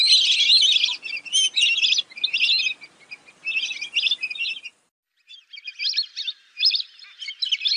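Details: Lesser whistling ducks producing loud, dense, squeaky whistled chatter in rapid bursts, then falling silent for a moment before fainter whistles start up again.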